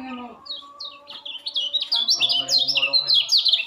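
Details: A young white-eye, newly learning its song, gives a few spaced high whistled notes, then breaks into a quick, continuous twittering of sharp descending slurs.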